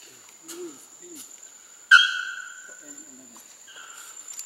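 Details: Young male Bare-throated Bellbird singing at Porto Seguro, Bahia, north-east Brazil, in November 2012: one loud, abrupt, metallic note with a long ringing tail. A steady high thin tone runs throughout, with faint low voices before and after.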